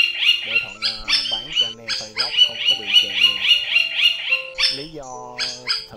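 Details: A brown-throated, yellow-billed rufous woodpecker gives bursts of harsh, nasal, high-pitched calls, about three or four a second, with brief pauses between runs; a flock-calling lure recording.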